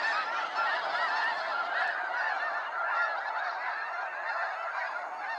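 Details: Massed snow geese calling during a sunset fly-out at Sacramento National Wildlife Refuge; a thick, even chorus of nasal honks with a few distinct yelps.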